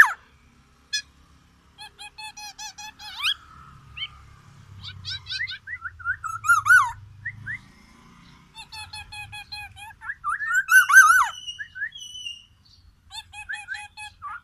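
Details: Black-naped oriole of the Aceh, Sumatra form singing borrowed white-rumped shama material: repeated nasal squeaky note series alternating with rising and falling whistles, gaps between phrases, faint low hum.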